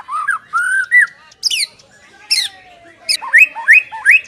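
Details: White-rumped shama master song for captive birds, made of short whistled slurs, sharp high notes and spaced rising phrases separated by brief pauses.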